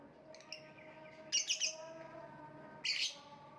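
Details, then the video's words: Lovebird giving a quick run of three harsh, high chirps, then a single louder rasping squeak a second later, with faint tonal notes and hum in the background. "voice of lovebird / Lovebird kicau"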